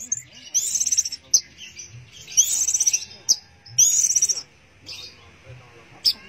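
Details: Teler-style song of an orange-headed thrush: very high, buzzy trilled bursts alternating with sharp clicks and short gaps, over a low background hum.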